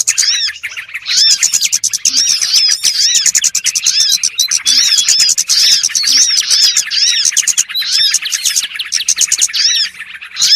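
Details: Small birds heard in a lure sound for trapping: an unbroken, noisy flock chatter of rapid high twitters and curved chirps, thick and dense throughout.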